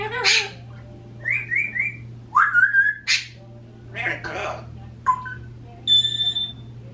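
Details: An African grey parrot, 26 years old, and a 16-year-old Quaker parrot, caged pets left alone at home, produce varied whistles, rising slurred notes, short repeated chirps and a clear high beep, over a constant low room hum.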